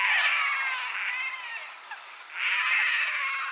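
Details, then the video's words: Painted stork (Mycteria leucocephala) giving two drawn-out, wavering, nasal moans, each about one and a half seconds long, with a brief pause between them. "Painted stork (Mycteria leucocephala) sound call and song"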